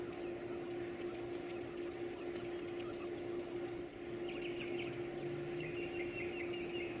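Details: Young birds begging while being fed: rapid, sharp, very high chirps repeated almost four times a second, several chicks overlapping, then a few lower squeaks, over a steady background hum.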